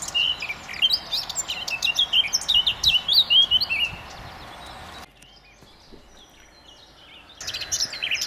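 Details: A male Eurasian blackcap sings in sunshine in a churchyard park during the dawn chorus: a rich, fast, fluty warble of varied high notes for four seconds, a pause, then it starts again over a soft hiss.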